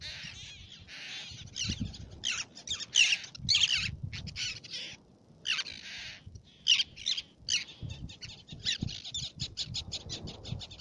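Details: Black-naped terns on Fares, Baa Atoll, Maldives: a dense run of sharp, high, scratchy calls from several birds, coming in quick bursts and clusters over a faint low rumble.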